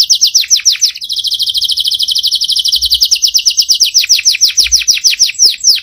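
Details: Strong canary song made of rolling trills: quick falling sweeps, then a smooth fast rattle held for seconds, ending in slower, wider downward-swept notes repeated rhythmically.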